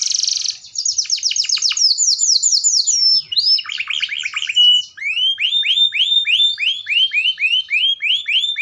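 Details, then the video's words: Canary in full, vigorous song: a buzzy high trill, then fast cascades of sweeping notes, a churring passage, and finally a long run of bright upslurred whistles repeated about three times a second. The recording is clean, with no other sounds. "Pancing kenari macet mu | kenari gacor"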